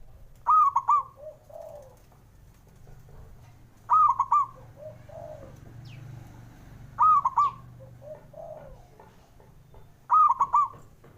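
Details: Zebra dove male giving the call used to stimulate reluctant singers: four stuttering, bubbly coos about three seconds apart, each followed by a softer, lower two-note coo.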